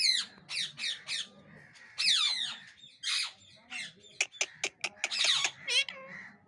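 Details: Angry parrots squawking and calling indoors: a run of harsh, harmonic, bending calls, then sharp clicks and a loud rasping burst, with a faint voice and music behind.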